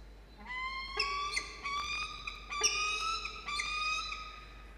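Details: Peregrine falcon at a nest box atop a water tower, Orange, New South Wales, 26 November 2021, 16:23: a drawn-out, slightly rising nasal wail of about four seconds, broken by sharp knocks and scrapes.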